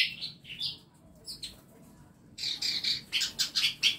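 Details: Scattered squeaky chirps, a quiet stretch, then a loud rapid sequence of harsh high twitters from birds in a small home aviary holding masteran birds.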